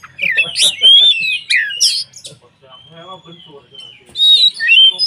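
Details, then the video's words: White-rumped shama (kacer) song meant to provoke other shamas: bursts of loud whistled and harsh notes, a long thin steady whistle in the middle with softer low chattering beneath, then a renewed loud whistled flourish at the end. "SUARA BURUNG Kacer gacor untuk PANCINGAN KACER agar EMOSI dan KONSLET"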